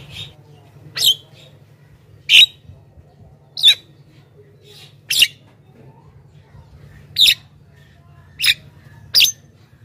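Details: Javan myna voice meant to lure wild mynas: seven short, scratchy squawks spaced irregularly over ten seconds against a quiet background.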